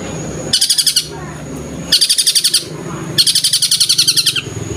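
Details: Long-tailed shrike in full, steady song with tengkek buto-style bursts: three rattling volleys of fast, high, clipped notes, each about a second long, separated by short pauses over a faint low background hum.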